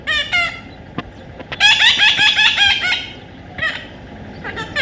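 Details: Young parrot during taming, calling in harsh, buzzy squawks: brief calls open the recording, then a rapid rasping series of about six pulses follows, and a few scattered squawks and clicks close it.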